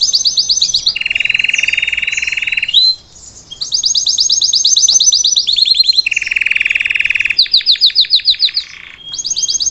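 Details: Salsa-style canary singing to teach a young bird: long sustained trill sections alternate with rapid buzzy rolls, switching tours every one to two seconds, loud and continuous with a brief pause near three seconds.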